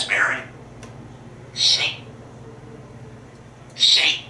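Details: Talkative male African grey parrot at home in Texas, excited by squirrels outside: three short, breathy, hissing bursts of mimicked speech about one and a half to two seconds apart, in a quiet room.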